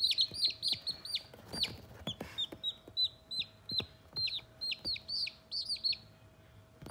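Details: Baby Sultan chickens only days old, playing together; shrill descending peeps in quick bursts, a brief scratchy rustle early on, then more evenly spaced peeps trailing off at the end.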